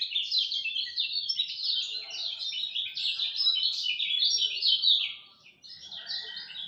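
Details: Lemon-bellied white-eye at dawn giving a long, continuous, high-pitched twittering song of quick slurred notes. It fades briefly near the end, then a couple of chirps resume.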